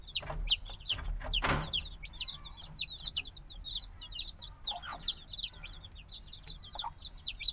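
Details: Very noisy young black chicks, just hatched, chirp continuously with high falling peeps in overlapping bursts, plus a loud knock near the start and faint lower noises.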